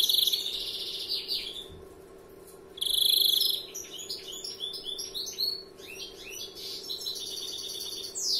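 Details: A young European greenfinch sings a 'larguero' style song. Bright twitters and sliding whistles mix with loud, dense buzzy phrases and rapid chirp series, with brief pauses between bursts. A constant low electrical-like hum sits in the background.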